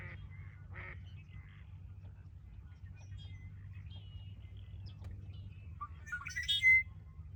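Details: Ridgefield National Wildlife Refuge, 20 February 2025: scattered short chips and whistled notes, then near the end one red-winged blackbird song, a rising slurred start breaking into a harsh buzzy trill and a high whistle, over a steady low hum.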